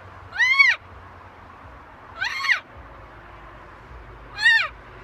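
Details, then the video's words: Loud, clear talking from a macaw: three strong arched, nasal syllables about two seconds apart, each rising then dropping in pitch, with little background noise. "Macaw talking"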